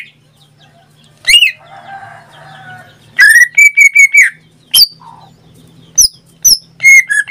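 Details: Pet greater green leafbird in full song: a single sharp note, then a faint rasping murmur, followed by a fast series of level whistled notes and scattered high, piercing chips.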